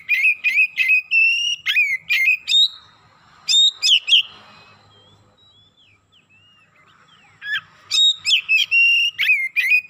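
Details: Excited Oriental magpie-robin unloading its learned song repertoire: quick runs of loud, clear whistles with sharp slurred ends, a lull with faint soft notes, then a renewed rapid burst.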